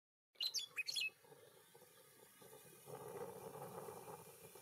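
A meadowlark gives a quick run of five or six clear, high, slurred whistles lasting under a second, followed by steady rushing background noise.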